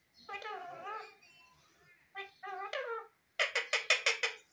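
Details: Indian ringneck parrot talking indoors: speech-like, harmonic mimicked phrases with gliding pitch, a short pause, then a second phrase and a rapid run of five or six harsh, loud squawky syllables at the end.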